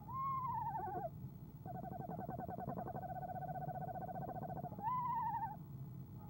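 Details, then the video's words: Eastern screech owl female trilling in the evening at her nest box before departing: a descending whinny, then a long steady monotone trill of about three seconds, followed by another falling whinny, over low hum. "Athena trills"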